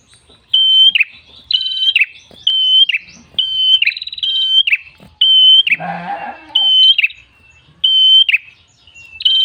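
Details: Lively red-headed tailorbird sings steady bright whistles, each clipped off with a downward buzzy twist, delivered in a rhythmic series roughly every second; a short rustling noise intrudes midway.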